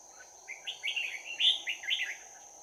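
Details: Bell-voiced red-whiskered bulbul at a trapping site on 11 January 2019, giving a fighting song. A fast, tumbling run of warbled, chirping notes peaks in a loud bright note midway, with a steady insect drone behind it.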